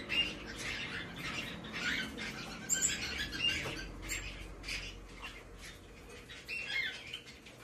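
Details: Male hand-tame White-bellied caique chick, Fukuoka, Japan, 17 May 2024: fairly soft, scratchy squawks in uneven clusters, fading toward the end, with faint low room noise underneath.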